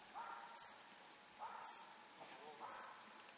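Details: Three shrill, thin, high notes from flycatcher nestlings about a second apart, with soft lower chirrups before each.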